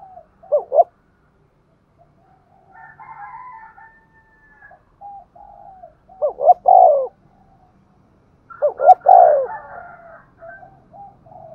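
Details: Decoy spotted dove cooing in the vigorous Thúc Gù style meant to lure wild doves: three deep rolling coo bursts near the start, middle and end, separated by quieter drawn-out coos, in a quiet setting.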